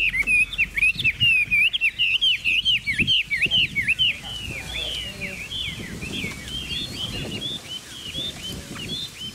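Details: Chinese hwamei singing: a fast, loud series of clear, looping whistles, then quieter, looser whistled notes over a soft background hum.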